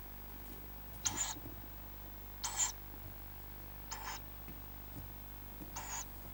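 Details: Tawny owl nestlings, a brood of five, in their nest: four fainter, rasping hiss-like bursts spaced about one to one and a half seconds apart over a low, steady background hum.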